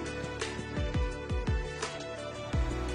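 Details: Only music is heard: steady sustained tones with a deep, thumping beat, and no animal voice.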